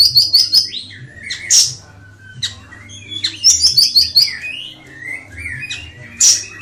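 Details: Ashy tailorbird singing: quick runs of high, sharp repeated notes mixed with lower slurred whistles and bright chirps, delivered in bursts with brief pauses, over a faint low background hum.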